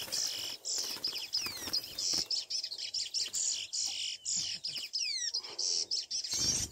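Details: A chestnut-bellied seed finch (Sporophila angolensis, curió) sings a fast run of clear, high whistles and sliding notes in quick phrases over a steady high hiss.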